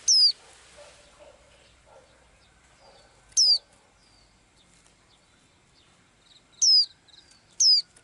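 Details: A small blue-eyed bird that sings daily gives four high, down-sliding whistles, two of them close together at the end, with soft low twitters and rustling in between.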